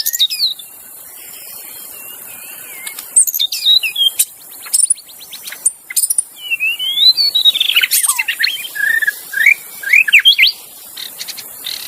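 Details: Wild magpie-robin in forest, used to train caged songbirds; scattered sharp clicks and whistles, then a rich run of looping, sliding and warbled phrases, with a persistent high insect drone.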